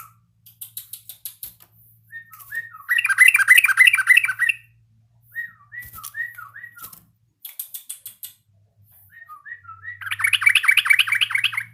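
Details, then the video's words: Yellow-vented bulbul learning its song, with runs of short, clipped whistled notes alternating with bursts of loud, dense chattering and scratchy rattles. "BURUNG TRUCUKAN BELAJAR BUNYI"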